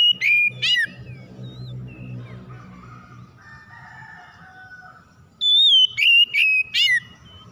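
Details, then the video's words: Oriental magpie-robin lure song meant to make silent magpie-robins sing: sharp, bright whistled bursts at the start, a stretch of softer, lower warbling, then another run of four loud descending whistled phrases. "PANCINGAN KACER MACET BUNYI CEPAT IKUT BERPERAN LANGSUNG GACOR"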